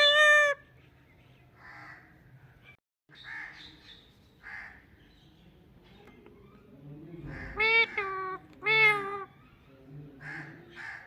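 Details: A talking Indian ringneck parrot gives a sharp opening squawk, then scattered quiet word-like notes, and finally two loud, strained, speech-like phrases near the end, over low background hum.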